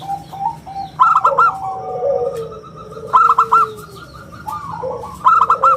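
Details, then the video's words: Local zebra dove in eager song, clear and round, used to draw in and train other birds: three bursts of quick staccato coos about two seconds apart, linked by level humming coos and a long sliding lower note. "perkutut lokal gacor suara istimewa buat pancingan dan masteran"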